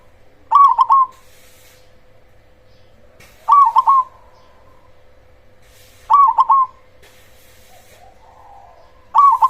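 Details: Cemani variety of zebra dove, a strong singer played to provoke rival zebra doves and raise their urge to sing; four short phrases of rapid bubbling coos, repeated roughly every three seconds, over a quiet background.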